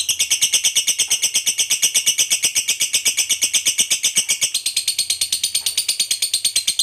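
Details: Long ngekek trill of a lovebird, kept by fanciers to provoke fighter birds into calling: fast, steady stream of shrill chattering pulses, roughly seven per second, running unbroken for nearly seven seconds with a slight shift midway.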